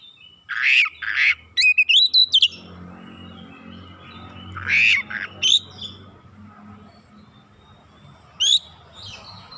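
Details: Kacer, the oriental magpie-robin, in lively lure song meant to spark singing in other birds: scattered harsh squawky bursts and quick thin whistles in short clusters, separated by pauses with low background hum.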